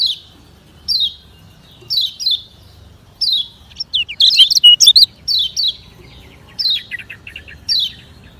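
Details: Lemon-bellied white-eye fast song for training slow birds: bright downslurred chips repeated about once a second, broken midway by a short loud burst of rapid tangled twittering.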